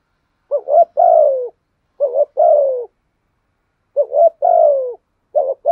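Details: Decoy spotted dove urging wild doves to answer, giving well-formed coo phrases: a short rising note, then a drawn-out descending coo, repeated with pauses of about a second.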